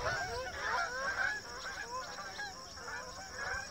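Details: Migrating Canada geese flying in formation over Rochester, New Hampshire, calling in a chorus of short, repeated honks, several birds overlapping at irregular intervals, over a constant high-pitched background hum.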